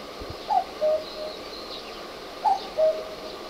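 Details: Common cuckoo calling from the top of a utility pole in the neighbourhood: two clear two-note cuck-oo calls, the second note lower and steadier, spaced about two seconds apart over a faint steady background hum.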